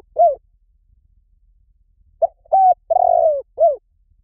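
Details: Lure call of a spotted dove: a single falling coo, a pause, then a phrase of a short note, a level coo, a long wavering descending coo and a final arched falling coo.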